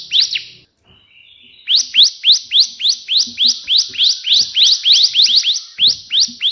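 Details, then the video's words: A bar-winged prinia sings 'tembakan' burst song as training material: after a short pause, a long, regular series of loud hooked notes, roughly three per second, runs to the end. "burung ciblek gacor versi tembakan perenjak putih"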